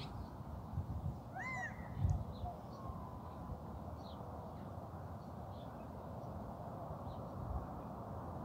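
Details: A male Gambel's quail calling from a rooftop on 23 May 2024 gives one loud, nasal, arching call, then a few faint high chips, over a low rumble of wind or traffic. Mourning, white-winged and Eurasian collared doves call in the background.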